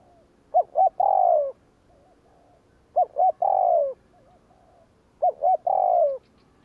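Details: Three regular phrases of a spotted dove's provoking 'gù kích' coo, each two quick notes then a long downward-gliding coo, repeated about every two and a half seconds, with faint gentle coos between.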